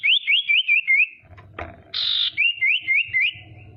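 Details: Female common iora, a lure call meant to make rival birds sing and become agitated; loud rising whistled notes repeated quickly, broken by a harsh buzzy rasp, then more rising whistles, with faint low background noise.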